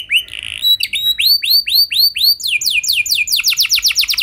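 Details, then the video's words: Canary lure song to prompt other canaries to answer and sing: a brief buzzy note, a run of curved rising-falling whistles, then a quick series of bright descending slurs. "Pancingan Ampuh Buat Kenari Kondisi Apapun! Bakal Langsung Nyaut Ikut GACOR Panjang"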